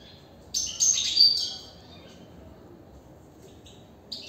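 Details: European goldfinch kept in a cage, giving one lively burst of high, tinkling twitters with a ringing note, then a quiet stretch and a faint short phrase at the end over steady low hum.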